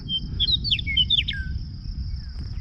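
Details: Bird perched on a small rock pile in the Badlands of South Dakota in morning light. Quick series of short, high chirped and slurred notes over about one and a half seconds, with a steady high whine and low wind rumble.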